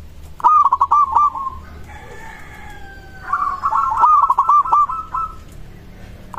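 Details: Song of a local zebra dove, said to get other doves calling back straight away; a quick stuttering coo rolls into a trill, then a longer, louder bubbling phrase follows after a pause.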